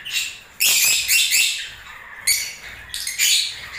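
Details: Lovebirds in breeding season squeaking and twittering in high, harsh bursts, with sharp downward notes and short gaps between phrases.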